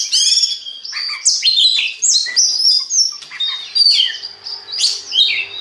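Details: Oriental magpie-robin song played to get other magpie-robins singing: loud, rich, fast-changing phrases of clear whistles, rising and falling slurs and harsh chips, delivered in repeated bursts with brief dips between.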